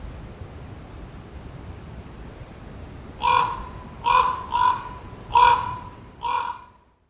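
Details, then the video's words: A common raven, after about three seconds of quiet, lets out five harsh croaks at slightly uneven intervals, two of them close together, before the recording falls silent. "Raven Sounds Bird Call Video Raven Croaking"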